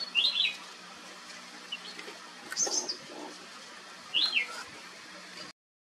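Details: Ruby-throated or Flame-throated bulbul from southern India singing brief, clear whistled phrases with a quick up-down turn, repeated about four seconds apart, a higher note between, in a quiet setting.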